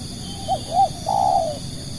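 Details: Cooing spotted dove used as a lure for other doves: one phrase of two short rounded coos and a longer loud level croo falling away at the end, with a quiet steady hum in the background.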